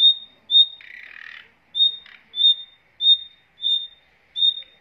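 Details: Caged nightingale pair with their young: clear high whistled notes repeated steadily, broken early by a long harsh buzzy squawk and a short rasp.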